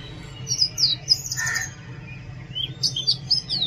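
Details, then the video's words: Loud Oriental magpie-robin song: rapid, high whistled notes that swoop down, a brief lower rasp in the middle, then another run of sharp sliding whistles, over a faint low hum. "Oriental magpie robin Song"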